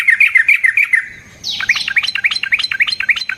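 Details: Sooty-headed bulbul singing a long rolling phrase meant to provoke rival birds: a fast run of bright chirps, a short pause, then a rapid series of about a dozen bubbling, upslurred notes.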